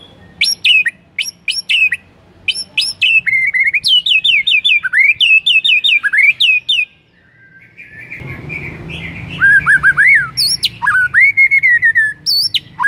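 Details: White-rumped shama song intended to trigger other shamas to sing: a long, rich run of rapid whistles and high sweeping notes, repeated phrases several times a second, a short pause, then more varied slurred whistles over light background hiss.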